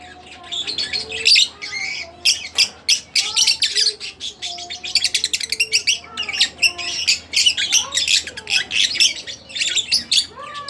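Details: Split blue Fischer's lovebird pet chirping and singing: dense, rapid high chips in a continuous twittering chatter, with soft lower whistled slides underneath throughout.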